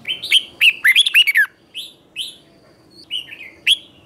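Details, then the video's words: Red-whiskered bulbul morning song meant to train and provoke other bulbuls: a fast cluster of looping whistled notes, followed by spaced single slurred whistles about every half second. "luyện giọng chào mào hót sáng kích bổi hót đấu căng lửa"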